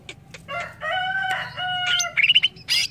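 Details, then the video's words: A greater green leafbird sings a loud, varied phrase: drawn-out, rich whistled notes, then a quick run of bright chirps and a sharp high burst at the end. "Suara burung CUCAK IJO"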